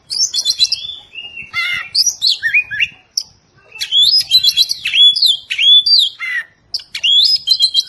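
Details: Oriental magpie-robin training song for caged birds, a dense run of loud whistled phrases, rapid chirps and downward-sweeping notes with short pauses between bursts.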